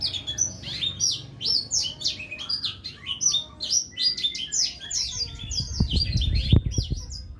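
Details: Blackthroat in full, energetic song, pouring out fast chirps, sharp slurred whistles and short trills with a few longer drawn notes, above a low background hum and some thumping near the end.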